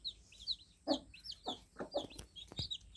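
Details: Fainter, more spaced cheeps from newly hatched fluffy chicks: clear high chirps at about two per second, interrupted by low rustles and a few sharp taps.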